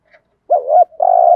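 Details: Spotted dove in thúc gù cooing, giọng thổ voice: a single rolling wavering coo followed immediately by a long, even, hollow tone, loud and close.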